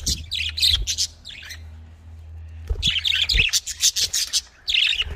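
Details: Budgerigar chatter: busy, scratchy warbling in dense bursts, a pause of about a second and a half, then more rapid chattering notes over a steady low hum.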